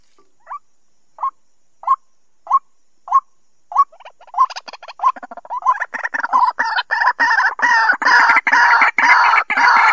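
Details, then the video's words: White-breasted waterhen lure call for bird trapping, 2020 season: single clipped notes about every half second, quickening into a loud, dense, harsh chorus that fills the second half. "Tiếng Quốc Bẫy. Cuốc chuẩn bao dính mùa 2020"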